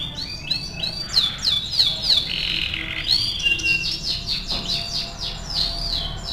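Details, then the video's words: Actively singing canary used as a training tutor: loud rich sweeping whistles, chattering trills and repeated bouncing notes, varied and nearly unbroken, with little other sound. "MASTERAN KENARI AF GACOR"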